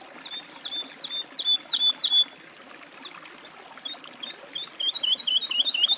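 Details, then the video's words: Woodlark (Lullula arborea) in song, giving several drawn-out, down-slurred fluty whistles, falling silent for over a second, then launching into a quick, rolling series of short liquid notes that builds in volume. "Голоса птиц. Жаворонок лесной (Lullula arborea)"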